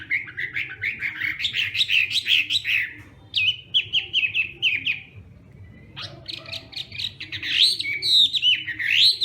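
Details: Hwamei practising its morning song, fast chattering runs of mixed whistles and sharp notes, a quieter gap midway, then a loud resumed burst of rising slurred whistles over a low hum.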